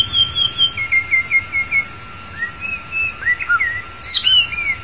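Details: White-rumped shama of the long-tailed form, song used as a trapping lure: high, clear whistled phrases sliding downward, then a livelier burst of looping whistles and chirps near the end.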